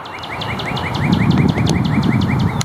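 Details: Carolina wren, a small bird with a powerful call, heard along a forest trail: a rapid run of short upslurred notes, about five per second, over heavy low rumbling noise.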